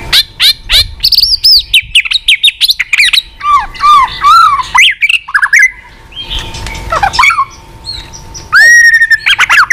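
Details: White-rumped shama giving varied continuous tạch song for stimulating a low-spirited shama: fast sharp whistled notes, rolling descending phrases, a faint steady hum beneath, and a final loud level whistle.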